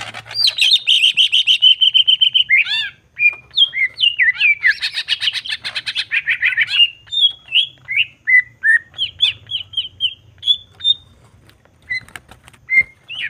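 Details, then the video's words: Greater green leafbird in full 'gacor' jamtrok song with 'nembak' bursts, used as a provocation to stir emotion. Loud, varied phrases: harsh buzzy trills, rapid chattering runs, then a string of short, clear whistled notes, with a faint low hum underneath. "Cucak ijo gacor jamtrok Nembak bongkar isian. Pancingan emosi cucak ijo dijamin emosi"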